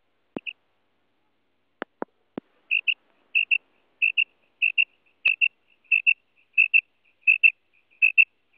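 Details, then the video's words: Female quail calling: short high paired notes, a quick double pip repeated steadily about every two-thirds of a second, after a few sharp clicks at the start. "Madi Batair ki Awaz 2024"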